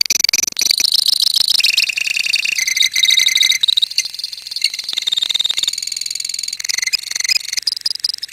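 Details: Lovebird colony in continuous ngekek song: an unbroken, very fast buzzy trill, high and shrill, shifting pitch every second or two as several birds overlap.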